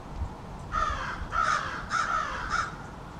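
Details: American crows from a small family group in a backyard calling back and forth, harsh caws in a run of four about every half second, each call a little different.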